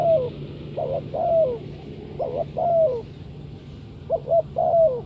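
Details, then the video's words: Spotted dove calling as a lure bird for trapping: clear low cooing phrases, each a short pair of hoots followed by a longer falling coo, repeated three times over a steady low hum. "Sound Of Spotted Dove is so good"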